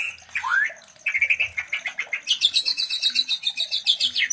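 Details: White-rumped shama mating sounds used to stimulate breeding; a rising slurred note, then a run of fast repeated chips and a long series of evenly spaced high sharp notes.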